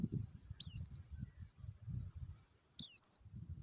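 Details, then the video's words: A forest white-eye gives lure song for training caged birds to sing: two bursts of high, sharply falling, slightly warbled notes about two seconds apart, with soft low murmuring underneath. "PANCINGAN PLECI NGALAS SUARA JERNIH MEWAH"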